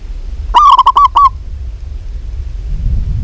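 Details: A single rapid phrase of five or six staccato, rounded coos from a lively local zebra dove, delivered in under a second, followed by low background hum.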